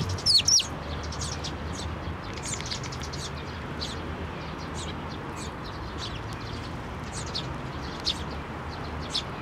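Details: Flock of Eurasian tree sparrows and a young chick coming to a hand to be fed at a Tenmangu shrine, May 17, 2024; a loud sharp descending note opens, then faint thin chirps continue from several birds.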